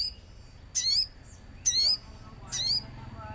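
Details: Common iora lure song with nature sounds, to get ioras singing: three piercing, high downslurred chirps, each about a quarter second long, spaced evenly almost a second apart.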